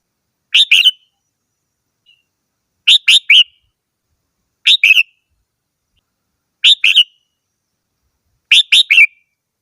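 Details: Red-whiskered bulbul delivering repeated lively phrases of two to three quick whistled notes, spaced roughly two seconds apart, clear and bright with no other sounds.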